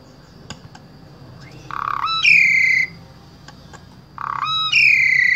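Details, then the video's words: Asian pied starling from Wonosobo, Central Java, Indonesia, used as a vocal tutor for spotted starlings. Scattered clicks, then two loud phrases, each a low buzzy note rising into a bright, harmonic-rich whistled sweep, over a low background hum. "Jalak SUREN SUPER GACOR Full Isian Sangat Ampuh Dijadikan Guru Vokal Jalak Trotol"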